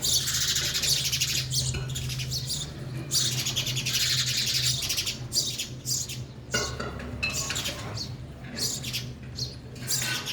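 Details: Busy chattering of sparrows feeding at a feeder: dense, overlapping high chirps that blur together, with a steady low electrical hum beneath.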